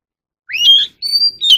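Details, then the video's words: Oriental magpie-robin singing, a recording used to train captive birds' voices: a rising, slurred whistle that levels into a rich note, then a long, pure, steady high whistle and a final short burst. "kacer alam | choè than luyện giọng || Choè than kích bổi ra giọng เสียงนกกางเขนบ้าน"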